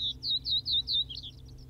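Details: Common Reed Bunting at Wakka Primeval Flower Garden, Hokkaido, Japan: a quick series of about five high, slurred chirps, evenly spaced every quarter second, ending in a softer jumbled twitter; low steady hum beneath.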